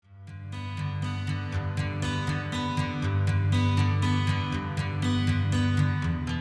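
Strummed acoustic guitar playing a steady rhythmic pattern with deep bass notes; only music is heard, with no animal calls.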